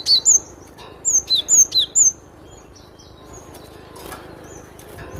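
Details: Cinereous tit giving crisp high whistles: two quick notes, then a run of four downward-slurred whistled notes, followed by quieter scattered chirps over low background noise.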